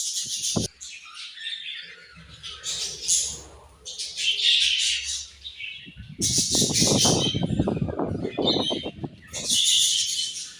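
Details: Budgerigars at a morning feed give bursts of high, scratchy chattering and twittering, with a brief quiet spell in the middle, then a rapid run of low knocking taps under the chatter near the end.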